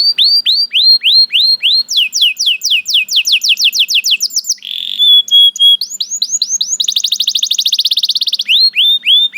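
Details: Singing canary delivering a string of high upswept whistles, faster downslurred notes, a short buzz, a few flat whistles, then a fast rolling trill and more upswept notes.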